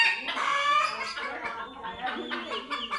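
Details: Chickens scared after seeing cats for the first time give overlapping, smeared cackles with a bright squawk early on, a loud frightened chorus throughout.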